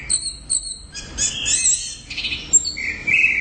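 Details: Orange-headed thrush song made of high doubled whistles, buzzy warbled phrases and a closing rasping trill, all delivered briskly within a few seconds.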